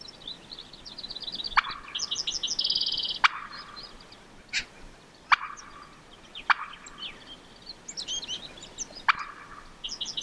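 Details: Merriam's wild turkey hen in Montana public land, crossing a road and giving loud, clipped single clucks spaced one to two seconds apart, over steady background chirps and trills of small songbirds.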